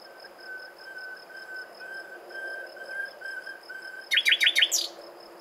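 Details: Common nightingale song opening with a long series of soft, pure whistled notes repeated evenly at the same pitch, then breaking into a sudden quick burst of loud chirps.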